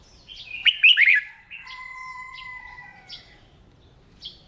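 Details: Red-whiskered bulbul, a hobbyist's bird trained to sing each morning, gives a short lively warble of rapid looping notes, followed by a held steady tone and a few thin high chirps.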